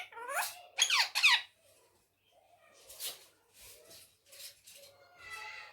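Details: Talking pet ringneck parrot bursting into three loud, raspy downslurred squawks in a row, followed by softer scratchy calls and low murmuring sounds.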